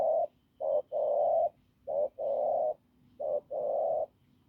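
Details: Hoarse, strong coo from a wild field spotted dove: a short note followed by a longer, drawn-out husky coo, repeated three times at a slow, even pace over a faint low hum.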